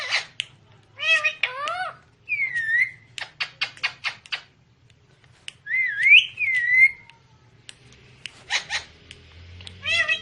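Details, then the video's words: Parrot in a small indoor space alternating quick clicks and voice-like harmonic syllables with looping whistled phrases that rise and fall, ending with more stacked speech-like sounds. "TALKING PARROT (BEAUTIFUL VOICE)"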